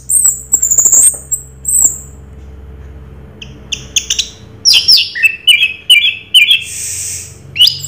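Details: Orange-headed thrush, Anis Merah, singing Raja Teler: thin high whistles first, then a sequence of clear slurred whistled notes and sharp chips, against a low rumbling hum.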